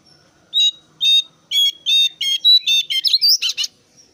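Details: Brown-cheeked bulbul calling loudly, played to lure other birds into singing: about a dozen harsh, ringing notes at high pitch, starting spaced and speeding up into a rapid, rising chatter, then fading to faint twitters.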